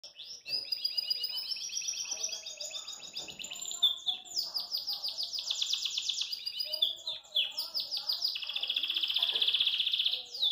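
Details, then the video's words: Belgian canary singing joyfully and hopping in its cage gives a long, continuous song of rapid trills and rolling tours, shifting between buzzy rattles and bright, sustained high warbles. "Canário Belga Dá Um Super Show de Canto"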